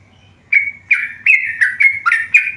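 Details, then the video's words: Yellow-vented bulbul kept tame, breaking into a lively run of clear whistled chirps after a half-second pause, notes alternating slightly higher and lower, about three per second. "burung trucukan gacor jinak"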